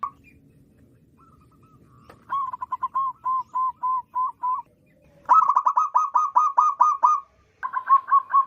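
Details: Local wild zebra dove calling loudly as a trapping lure; after quiet rustling, spaced single coos give way to a dense, rapid staccato phrase and a final short burst.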